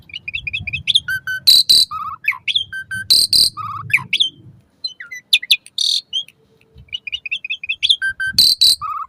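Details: Asian pied starling song used to stimulate pet birds to sing in the morning and evening: strings of rapid chirps, clear whistled notes and loud harsh bursts, repeated in similar phrases with short pauses between.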